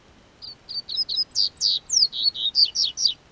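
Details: Double-collared seedeater from southern Brazil, singing as the weather warms: a lively, fast phrase of bright, high whistled notes, about a dozen in three seconds, mixing steady chips with sharply falling and rising slurs. The background is quiet.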